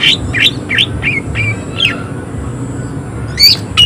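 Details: Greater green leafbird in harsh, emotional voice: a quick series of six downward-slurred chirps, a long pause, then two sharp bursting notes, over a steady low hum.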